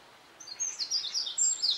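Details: A wren sings at sunset (also described as a dawn chorus): a loud, very high, rapid run of sharp notes and trills, tumbling quickly up and down, over a faint background hiss.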